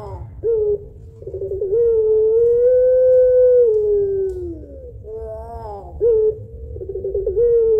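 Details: Lure call of a pelung Barbary dove with the long two-note kuwok voice: a short coo and a trembling roll lead into a long, gently arching hoot that sags at its end, and the sequence then starts again.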